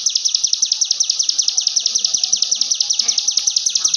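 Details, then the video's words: Fast, energetic song of ciblek gunung, the bar-winged prinia, as master recording for songbirds: very rapid high buzzy notes, about forty in four seconds, evenly paced and unbroken. "CIGUN GACOR FULL NGEBREN"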